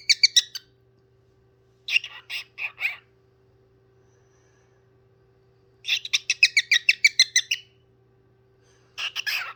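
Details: Pet parrot singing indoors, producing bursts of rapid harsh chattering notes, several per second, in groups separated by pauses of silence, over a faint steady hum.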